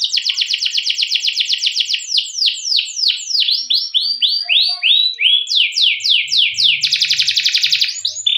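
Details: Long rolling canary song meant to draw out and teach other canaries: a rapid high trill, then slower down-slurred repeated notes, then quick rising sweeps and a dense rolled burst near the end.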